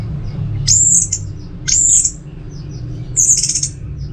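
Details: Caged orange-headed thrush kept at home in Singaraja, North Bali, singing in the 'teler semi doyong' style: three short high buzzy whistled bursts, each about a second apart, over a low steady hum.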